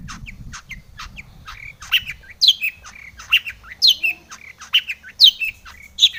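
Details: Long-tailed shrike song meant to make other shrikes sing: sharp, high chattering notes and short whistled phrases repeated in an uneven rhythm, clearer and louder in the second half.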